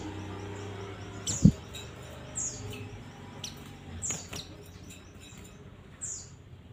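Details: A white-eye (pleci), played as a lure to make other white-eyes sing, gives thin, very high, downslurred notes, spaced a second or two apart, over a low hum, a faint rapid high ticking and one dull thump.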